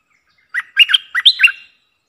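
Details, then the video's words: Bubbly, chattering phrase of a streak-eared bulbul, played as a lure for catching birds: around six rapid, warbled notes with a brighter rising note near the end. "Suara pikat merbah lekir"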